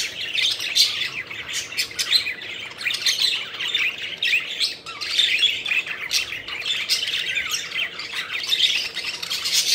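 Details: Playful pet budgies fluttering around together, their overlapping chirps and squawks forming an unbroken, busy warble that swells and dips in loudness every second or so.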